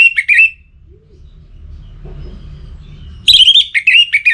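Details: Orange-headed thrush challenge song, the bird aroused for breeding: a brief warbled phrase, nearly three seconds of quiet, then a louder burst of quick, rich, undulating whistles.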